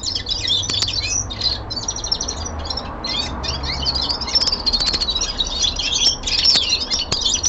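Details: Young male common linnet singing indoors: lively, continuous twittering with buzzy rattles and thin whistled notes, briefly pausing once or twice, over soft background rumble.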